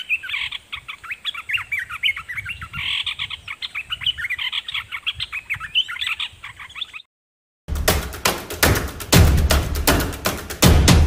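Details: Red-whiskered bulbul decoy bird singing at wild birds: busy chattering warble of short rising and falling notes for about seven seconds, then an abrupt cut to loud low rumbling and clicking noise.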